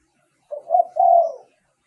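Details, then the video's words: Spotted dove decoy song used in Thailand to lure wild doves: a single low, hoarse cooing phrase, a short note sliding into a longer rolling coo, about one second long, in otherwise quiet surroundings. "เสียงต่อนกเขาใหญ่ เสียงชัด"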